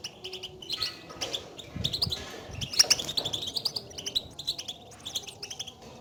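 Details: European goldfinch betbeta calls used to wake a silent goldfinch into song: thin, high chirps and twitters with a brief buzzy patch, loosely spaced and slightly softer, with faint low background rumble.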